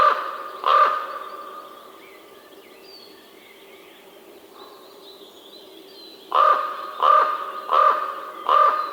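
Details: Raven uttering one hoarse call, a long pause, then four harsh caws repeated about every 0.7 seconds.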